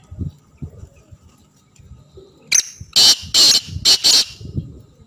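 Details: A black francolin sounds a clear, loud phrase of one short note and then four harsh, grating notes in rapid rhythm, over a faint low background.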